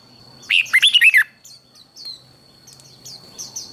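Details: Red-whiskered bulbul singing for contest training: one loud, quick phrase of five or six liquid, slurred whistles, followed by faint high chirps and a steady thin high tone in the background.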